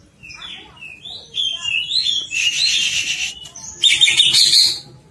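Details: Greater green leafbird described as agitated, giving clear whistled slurred notes that run into loud, dense, harsh chattering bursts, then a brief pause and a second harsh scratchy outburst.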